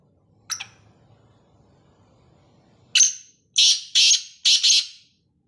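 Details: Kala teetar, the black francolin, giving its call: after a faint short note and quiet low hum, a sharp note leads into four harsh, buzzy, rasping notes delivered as two quick pairs.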